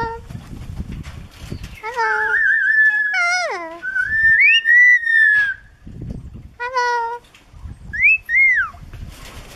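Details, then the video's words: Pet Moluccan cockatoo, with a sulphur-crested cockatoo also present, whistles and says hello: rising and falling whistled notes, a long bright whistle, and short nasal, voice-like calls, with faint low speech-like sounds between them. "Moluccan Cockatoo Whistles & Says Hello"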